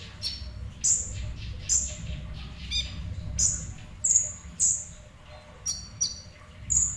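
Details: Sunbird, local name kolibri ninja, singing semi-actively: piercing high-pitched chip notes spaced irregularly, roughly one per second, some doubled, over a soft low hum.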